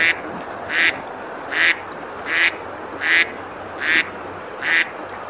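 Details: Ducks on a river at Besalú, Girona, Spain, on a summer day, eating and splashing; harsh nasal quacks repeat steadily about every 0.8 seconds, seven in a row over a soft hiss.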